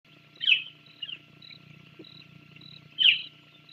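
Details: Island scrub jay, found only on Santa Cruz Island, visiting the Sauces bald eagle nest, Channel Islands, 24 January 2024: two harsh, rasping calls about two and a half seconds apart, a softer note between, over faint steady hum.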